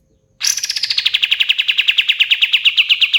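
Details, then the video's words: Pied fantail (kapas tembak) delivering a loud, sustained run of rapid pulsed notes that start high and slowly step down in pitch over three seconds. "SUARA BURUNG KAPAS TEMBAK KATEM GACOR"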